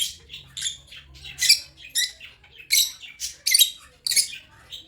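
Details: Loud, close African lovebird chirping: harsh, high, buzzy squawks in rapid bursts, about a dozen strong notes with short gaps between them, little background noise.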